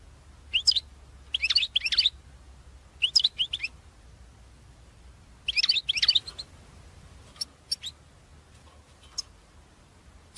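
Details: Goldfinch twittering meant to draw in birds for trapping, heard as bursts of bright tinkling notes about one second long, separated by pauses of one to two seconds, against a low hum.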